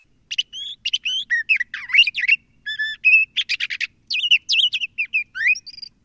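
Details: LeConte's thrasher (Toxostoma lecontei) singing a varied, continuous song of whistled and slurred phrases, some rising and falling between mid and high pitch, mixed with short buzzy chirps and rapid trills, brief pauses between phrases, clean quiet background.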